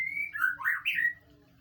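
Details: White-rumped shama song used as a training recording to prompt a reply: a brief phrase opening on a steady high whistle, then a few looping, slurred whistled notes dropping and rising, fading after about a second over a faint low hum.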